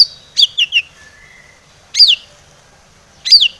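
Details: Long-tailed shrike singing as a lure, with a few quick high notes followed by sharp downslurred whistles repeated at intervals of over a second.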